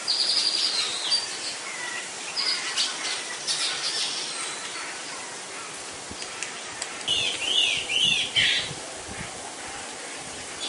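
A Hispaniolan woodpecker gives short bursts of bright, arched notes, a quick series at the start and another of four rising-and-falling notes near the end, over a steady hiss.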